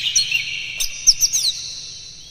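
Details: Oriental magpie-robin singing energetically, used as a lure to rouse other magpie-robins; dense high whistled phrases with sharp chips and slurred notes layered over a long smeared ringing tone, brief bursts near the middle.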